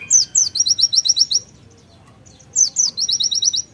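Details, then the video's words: White-eye in energetic 'nembak' song with konin fill-in: two downslurred notes lead into a fast run of high chirps, a pause of about a second, then the same phrase repeated. "PLECI NEMBAK ISIAN KONIN GACOR"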